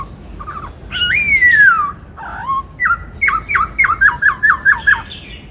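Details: In its bắt cô trói cột song, a white-cheeked laughingthrush gives a loud long falling whistle, then a steady string of about ten short flicked notes repeated evenly.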